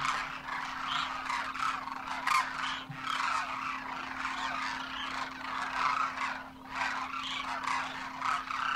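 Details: Demoiselle cranes, wild wintering flocks in Rajasthan, India, with first-year juveniles accompanying parents, in flight; many birds give rolling, croaky calls that overlap into a continuous chorus, swelling and dipping in loudness, a constant low hum behind.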